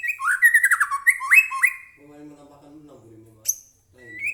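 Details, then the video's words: Captive white-rumped shama singing as a lure to stir other shamas into song: nearly two seconds of fast, varied whistled notes sliding up and down, followed by a low humming, voice-like sound and a single sharp high chip. "murai batu gacor AMPUH buat pancingan murai batu agar bunyi"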